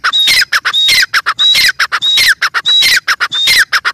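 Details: Grey francolin, called teetar, giving loud harsh squawking notes in fast pulses with a short whistled tone between bursts, repeating about every half second.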